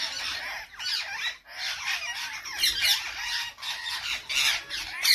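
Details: Several parrots squawk and chatter together, rough, grating calls packed closely with wavering squeaky notes and a sharp shriek at the very end.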